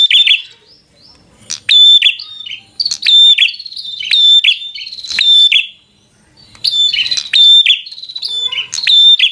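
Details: Bar-winged prinia giving loud fighter song to provoke an opponent: four ringing, trilled phrases about two seconds apart, each opening with a sharp clipped note, separated by silences.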